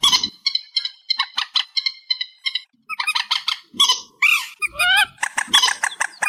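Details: Reed warbler song, amplified: runs of short, harsh, repeated chips, then louder twisting, rasping slurs and churrs in a continuous varied stream.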